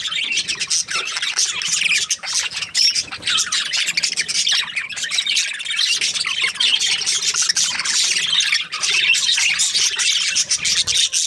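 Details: Several budgies chatter continuously, a thick unbroken stream of high, scratchy warbles, clicks and quick chirps that overlap throughout with no real pause.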